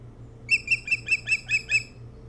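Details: Osprey at its nest on Hog Island near Bremen, Maine, recorded by nest camera in the early morning of 07-03-2018; about seven clear, harmonic chirped whistles repeated evenly, each roughly a quarter second apart, over a low steady hum.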